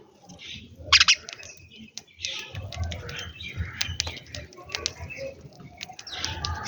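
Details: Sparrows chirp while eating food in a morning scene, short bright chirps scattered irregularly with one louder burst near the start, over faint rustling and low background rumble.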